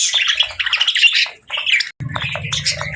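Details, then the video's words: Chattering pet budgie, a rapid scratchy warble of chirps that pauses briefly at mid-clip, then resumes over a low humming rumble. "Relaxing & Soothing Budgie Sounds"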